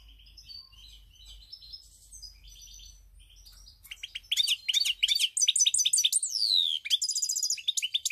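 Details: Goldfinch song recorded on 7 March 2021, starting soft and distant with thin scattered notes, then bursting into loud fast tinkling twitters, a sweeping descending whistle, and buzzy trilled phrases.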